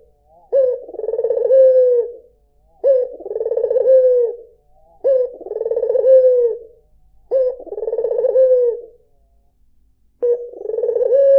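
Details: Five well-spaced coos from a white Barbary dove, each roughly two seconds of low, throbbing trill that begins with a quick upward flick and fades away, separated by clean silent gaps.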